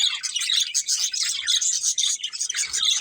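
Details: Several pet budgerigars chatter together in a dense, continuous stream of high twittering chirps and warbles, with overlapping voices and no pauses throughout.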